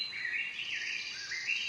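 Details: In spring, a bird sings a continuous, wavering high warble that rises and falls without pause.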